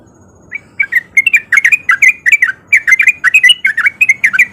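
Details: Sooty-headed bulbul male in breeding condition singing a rapid ropel lure song to draw other bulbuls into song: after half a second of hush, dense chattering chirps pour out without a break, over a faint murmur.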